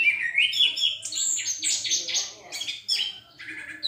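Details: Orange-headed thrush singing loudly and clearly, a dense, rapid tumble of rich whistles and scratchy high notes running almost without pause, ending in a short break and a sharp high note.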